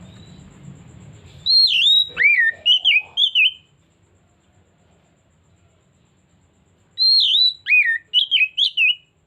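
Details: Oriental magpie-robin used as a lure bird, singing loud whistled phrases: a long slurred note near the top, a drop, then quick clear looping whistles, two bursts separated by silence, with faint low noise at the start.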